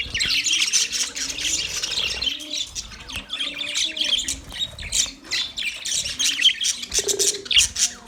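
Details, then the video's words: Male budgies chirp in a steady stream of high, scratchy warbles and squawks, interspersed with lower nasal chattering notes and quick clicks. "Male Budgies chirping sounds"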